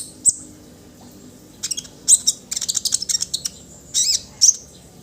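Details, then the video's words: Orange-headed thrush singing, played to encourage other birds into song: isolated sharp high notes, then a rapid series of chattering, twittering phrases with short pauses and a few whistled upslurred notes. "Ocehan konin agar burung anda cepat bunyi"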